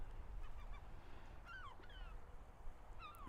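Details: A gull squawks at the recordist on a beach in Nova Scotia, Canada: a few harsh, downslurred squawks about a second and a half apart, over a steady low rumble of wind and surf.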